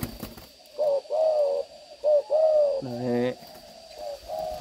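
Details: Captive young spotted doves, a cooing pair in which the male is smaller than the female: low, hollow coos, a few short notes followed by longer drawn-out ones, while a man talks nearby.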